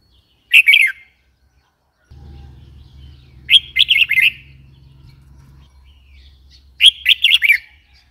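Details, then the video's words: Red-whiskered bulbul uttering three bright chattering phrases a few seconds apart, each a rapid run of short notes, while a steady low hum runs through the middle. "Red whiskered bulbul call 04"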